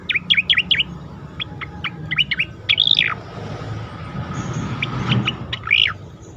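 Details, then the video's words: Asian pied starling song recorded as a training track for competition birds: a run of sharp, high chirps and downslurred whistles in quick bursts, then a brief pause before more scattered notes, with a low background hum. "khas cica koreng suara shahduh sangat bagus untuk masteran burung lomba"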